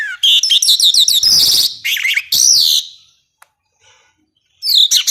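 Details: Tutoring recording for contest birds: a songbird gives loud, harsh bursts of fast warbles and scratchy squawking notes, falls silent for over a second, then returns with another sharp burst.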